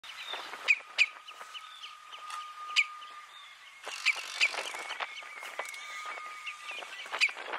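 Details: Red-necked phalaropes on Flatey, Iceland, in June 2019 give sharp, high, clipped notes at irregular intervals, about seven in as many seconds, over a steady droning tone and rushing background noise.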